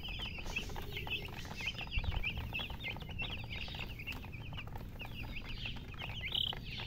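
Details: Young chickens peeping constantly, dense overlapping high-pitched chirps that each drop quickly in pitch, a flock of chicks heard over a soft low hum.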